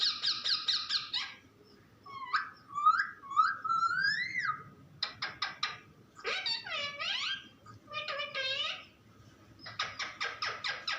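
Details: Talking pet parrot: bursts of rapid, evenly repeated harsh syllables alternate with bent, whistled and warbling speech-like phrases, with short pauses between the outbursts.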